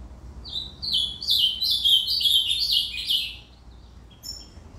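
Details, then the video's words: An ultramarine grosbeak delivers a fast, melodious warbling phrase of slurred descending notes lasting about two and a half seconds, followed by a pause and a couple of faint high notes. "Reinamora cantando ( Azulao cantoria)"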